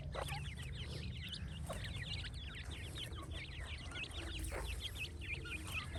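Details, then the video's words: Many francolin chicks calling at once, high quick peeps dipping and rising in an unbroken stream for six seconds, with occasional clicks and a low steady hum beneath. "تیتر کے بچے اور مست آواز"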